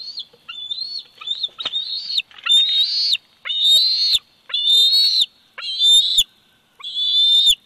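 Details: A 104-day-old bald eagle eaglet at its Big Bear Valley nest, 27 July 2019, on a nest camera, calls loudly and insistently: piercing high whistled squeals repeated about once a second, some with harsh, rough edges.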